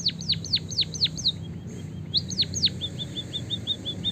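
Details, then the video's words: Singing white-headed munia, a long rolling song mixed with canary phrases for tutoring other birds. Steep falling whistles repeat about twice a second, pause briefly, resume, then give way to a soft run of short high chirps. "suara burung emprit peking bondol kaji gacor isian kenari ngeroll panjang untuk masteran"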